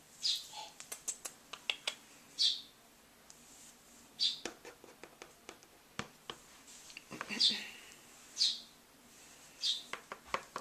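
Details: Hand-raised baby female starling begging for food after learning that a door shutting signals feeding; brief high rasping bursts at irregular intervals over sharp tapping and clicking handling noises indoors.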